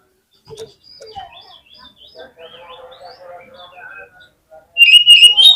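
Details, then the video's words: Oriental magpie-robin lure song for prompting other birds to sing: a long, soft, rambling sequence of varied warbles and short whistles, ending in a sudden loud series of bright repeated high whistled notes. "KACER LANGSUNG PECAH SUARA MENDENGAR PANCINGAN INI !!! KACER LOYO PASTI IKUT GACOR"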